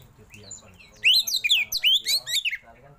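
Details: Oriental magpie-robin with a tail-opening display, delivering 'isian' fill-ins in 'roll tembak' style. A second of faint sounds gives way to a loud, quick run of swooping whistles and scratchy notes.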